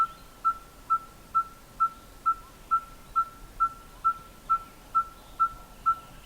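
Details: A red-fronted tinkerbird calls with its beak closed, inflating its throat, giving a steady series of hollow, piping notes on one mid pitch, about two each second, evenly spaced like a tinker's hammer on an anvil.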